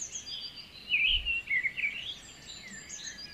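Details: White-rumped shama song used to stimulate a stressed, reluctant bird to sing; a continuous run of varied whistled and warbled phrases, with a louder burst of slurred notes in the middle, over steady background hiss.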